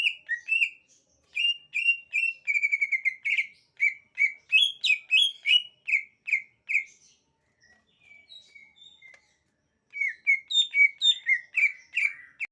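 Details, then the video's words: Greater green leafbird in song, a long varied sequence of loud whistled and slurred notes, including a rapid trill-like stutter, then a quiet soft passage and a pause before a renewed run of bright whistles. "Burung cucak ijo bernyanyi"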